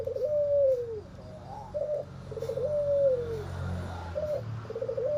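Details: White albino Barbary dove with red eyes and a hoarse voice, said to make other birds lose heart; low husky coos, each a rolling trill then a long note sliding downward, repeated about every two seconds, with a faint low hum underneath.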